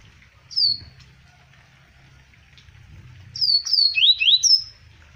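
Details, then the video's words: A single high falling whistle, a silent gap, then a full phrase from a double-collared seedeater, Arapiraca, Alagoas, 2020: descending whistles, two rising slurs and a closing high note. "CoLEiro Zidane 2020 Arapiraca Alagoas"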